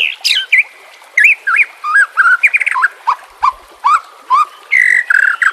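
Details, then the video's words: Varied white-rumped shama song used to coax a silent murai batu into singing: looping whistled phrases dipping and rising, clusters of quick chips, a long steady whistle near the end, over a faint steady wash of water. "Terapi Murai Malas Bunyi Dengan Pancingan Mewah Isian Terbaik"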